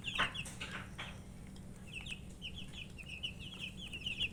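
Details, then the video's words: Chicken chicks eating: loud pecking clicks and scrapes in the first second, then a run of high, evenly spaced peeps, some rising, continuing to the end over a low steady hum. "Murgi chicks Chirping sounds and eating"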